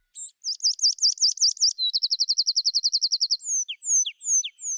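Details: Tree pipit song recorded in upland oak woodland, in three linked parts: rapid high wavering notes, a long fast trill, then slower bouncy descending notes, loud, fizzy and energetic.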